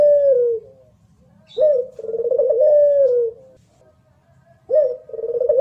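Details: Local pelung-type Barbary dove, a contest singer, cooing cleanly: the end of one phrase, then a full rising note and a long trembling coo that falls, and another phrase starting. A faint low hum lies underneath.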